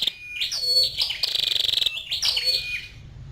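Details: High, rapid pulsed trill from a female scarlet-backed flowerpecker, bracketed by shorter buzzy chirps and faint lower slurred notes.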